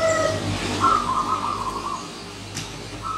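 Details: Wild zebra dove paying a visit, delivering one long, rolling trill of coos that fades, then starting another phrase, with a brief higher note from another bird at the start.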